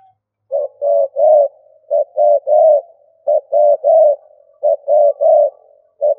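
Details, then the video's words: Spotted dove used as a decoy, giving stuttering coos: four clipped three-part phrases, short-short-long, soft and hollow, evenly spaced in quiet surroundings. "Cu gáy mồi gù cà lăm"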